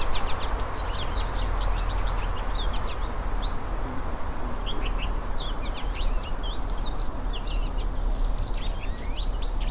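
A goldfinch sings a long, rambling song of quick, high twittering notes and slurred chirps, varied in pitch, over a steady low rumble of background noise.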